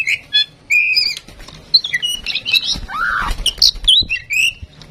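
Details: Tame female oriental magpie-robin, used as a prompt bird to set others singing, pours out a busy jumble of chirps, squeaks, short whistles and a harsh downslurred squawk in quick varied succession.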